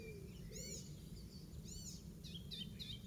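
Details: Icterine warbler singing in a garden in Pieterburen, Netherlands, on 17 May 2022, first heard 15 May, copies an oystercatcher: two loud, ringing, arched 'kleep' notes about a second apart, then quicker chattery phrases, over a low rumble.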